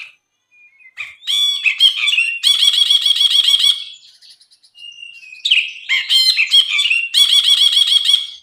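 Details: Brinji bulbul song used as a tutor recording: two loud phrases, each opening with sharp chips and ending in a rapid rattling buzzy trill of evenly repeated notes, separated by a quiet thin whistle.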